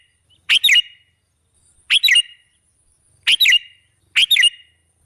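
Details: A sooty-headed bulbul recording meant as a lure for other birds. It gives four quick, clear double-noted chirping phrases, spaced roughly one to one and a half seconds apart, against a quiet background.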